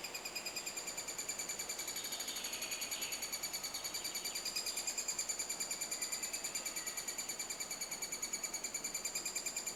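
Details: Eurasian three-toed woodpecker in Estonia during the nesting season: a steady, high, buzzy pulsing, about three rasping notes a second, kept up without a break for the whole stretch.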